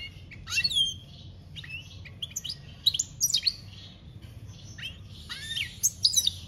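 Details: European goldfinch in campero song, 2021: a lively run of short twittering phrases made of quick, sliding high notes and tinkling chirps, delivered in bursts with brief gaps, over a faint low hum.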